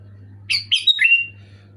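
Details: Sooty-headed bulbul song played to trigger a pet bird to sing: a quick burst of three bright, bubbly whistled notes, the last gliding longer, over a low steady hum.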